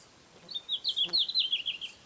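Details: Red-flanked bluetail, a summer breeder in Hokkaido from high mountains to lowlands: a short, high, warbled phrase of rapid wavering notes that drift slightly downward, with a faint click near the middle and quiet background.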